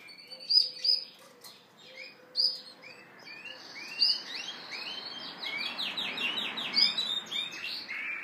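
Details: Male Yorkshire canary singing and dancing to attract a hen: scattered sharp high chirps, then a fast run of rolling, rising trilled notes. A faint steady hum lies underneath.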